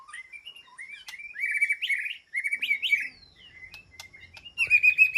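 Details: White-rumped shama communicating with its flock in an aviary, giving rich, varied whistled phrases, rising and sliding notes with sharp chips between; a soft low hum in the background.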